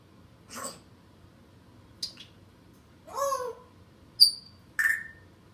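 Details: Pet African grey parrot indoors, making a string of noises as its owner walks to the kitchen, hoping for a snack: a short broadband sneeze-like burst, a brief scratchy note, a warbled rasp, then two sharp whistled notes.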